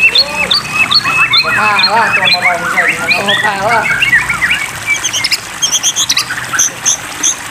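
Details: Water-therapy training audio of the white-rumped shama, meant to get stuck birds singing: dense rolling series of arched whistled notes repeated rapidly, easing into softer scattered chips and high thin notes.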